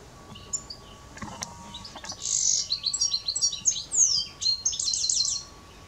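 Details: Goldfinch singing: a quick, tinkling jumble of high twittering notes and liquid trills, starting with a few scattered chirps before a lively run of bright, tumbling phrases; a faint steady hum lies beneath.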